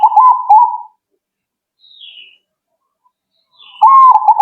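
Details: Zebra dove replying straight away. A rolling coo phrase of quick warbling notes ends near the start, then a faint higher note follows, and a second rolling coo begins after a short silence.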